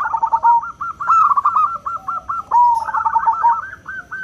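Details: Crystal-voiced local zebra dove calling to companions, a lure meant to make other doves lively. Continuous rapid staccato coos are heard, with brief rolling trills between the louder bursts.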